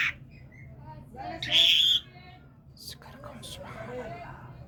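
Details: Talking common myna from Kerman, Iran: a loud, harsh squawk lasting about half a second mid-clip, framed by quieter speech-like chattering and soft clicks over a low background hum.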